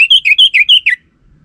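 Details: Orange-headed thrush lure song for prompting a male's reply: a single tight run of about six clear, pulsing whistled notes, each slightly falling, delivered in under a second.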